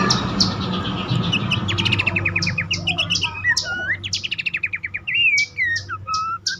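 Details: Abbott's babbler calling, used to stir caged birds that are stuck or stressed into singing. Rapid descending trill bursts are followed by clear slurred whistles that rise and fall, with a low background hum.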